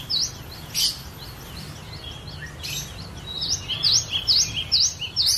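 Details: Cinereous tit singing as a master bird for training others: soft high notes early, then a run of five loud V-shaped whistles alternating with lower chirps near the end.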